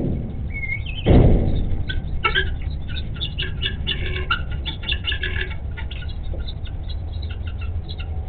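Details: Guineafowl in a shed where they are laying eggs give harsh, rapid, repeated chattering notes over a heavy low rumble of wind or handling noise.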